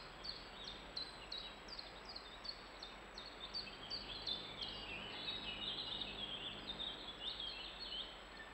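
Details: European robin, in a recording dated 21-6-11, giving a fast series of thin, high ticking notes, about three a second, then breaking into a softer, varied twitter over a steady background hiss.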